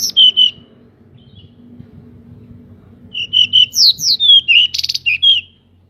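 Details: Pied bushchat singing with spread wings as a lure to rouse other birds: short whistled notes, a quiet gap, then a lively burst of varied whistles, sharp slurred notes and a brief buzzy rattle.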